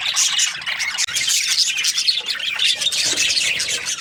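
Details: A flock of Australian budgies in breeding season, chirping continuously. The result is a dense, overlapping wash of high twitters and squawky chatter with no pauses.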